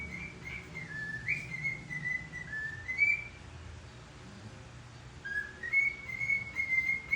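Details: A pet cockatiel singing in the morning whistles a clear, tuneful song of sliding, rising notes against a low indoor hum.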